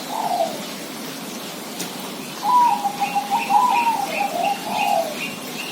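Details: Zebra dove giving a single low coo, then a long rippling series of soft mid-pitched coos, while a faint higher chirping bird repeats in the background.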